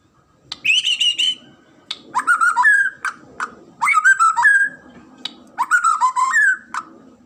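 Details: White-rumped shama, a well-known Indonesian pet songbird, singing four loud phrases of whistles and clicks about every one and a half seconds, each ending with an upward-stepping whistle.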